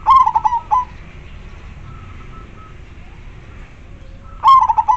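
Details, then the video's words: Local zebra dove with a big, clear voice, used to attract wild doves, coos at the start and again near the end, rolling multi-note phrases separated by faint thin whistles and a quiet hum. "Perkutut lokal gacor suara jernih dan besar ampuh buat pancingan"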